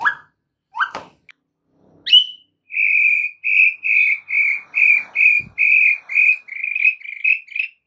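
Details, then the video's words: White-rumped shama singing actively, used as a training recording for caged birds. A few short rising whistles come first, then a steady run of about twelve clear, even whistled notes, each repeated roughly twice a second at the same pitch. "MASTERAN MUTAI BATU GACOR"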